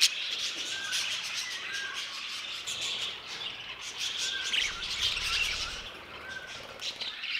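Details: Violet budgerigar, a new colour mutation, warbling in a steady stream of soft twitters and short chirps, with a few clearer whistled notes rising above the chatter midway.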